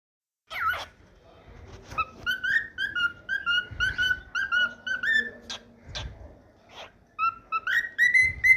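A cockatiel gives a run of clear, slurred whistles, each note rising or falling, repeated in quick bursts.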